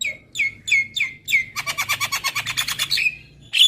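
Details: ['Javan myna, a training recording to make birds sing more: five descending whistled slurs, then a rapid buzzy rattle of about fifteen notes and a final squeak.']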